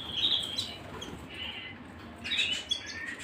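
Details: Canary singing at home in short bursts: a brief bright trilled phrase, a quieter pause, then another quick high warbling burst.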